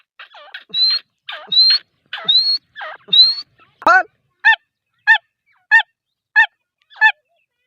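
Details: Female grey francolin calling: loud nasal notes with a rising whistled ending repeated about every 0.7 seconds, then a run of shorter clipped harmonic calls at a steady pace, with a brief laugh-like burst before.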